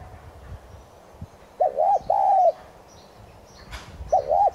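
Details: Decoy spotted dove of subspecies tigrina in 'thúc gù' style, used to rouse other doves to coo: one full low phrase of two quick hooked notes and a longer sustained coo, then another starting, with faint high bird chirps behind.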